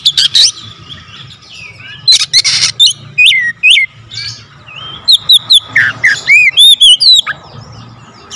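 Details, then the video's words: Oriental magpie-robin singing a full variety of fill-in phrases: harsh buzzy bursts, upslurred whistles and quick repeated chirps, closely spaced with brief pauses and a low hum throughout. "Kacer gacor nembak rapat full variasi isian"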